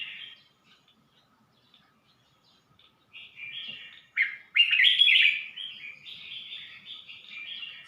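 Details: From Suan Phueng, Ratchaburi, a red-whiskered bulbul opens with a lone note, falls quiet, then launches a lively cascade of liquid warbling that peaks loudly midway and then tapers off.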